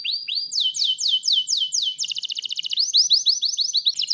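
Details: White canary song, used to prompt quiet canaries to sing and to tutor other songbirds: repeated downward-sweeping whistled notes, then a fast buzzy trill, then rising notes, clean with no background.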